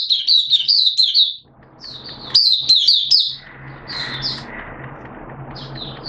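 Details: Oriental white-eye hobby bird in wet, erratic weather, giving two quick runs of high twittering notes, then fainter scattered chirps as a steady rushing noise rises in the background.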